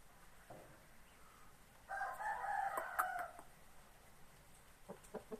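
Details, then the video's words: Rooster of Laos, a fighting-cock type, giving one harsh, drawn-out crow of about one and a half seconds, loud and strained, with softer clucks before and after it. "ໄກ່ຕີເມືອງລາວ/ไก่ชนเมืองลาว/Laos rooster"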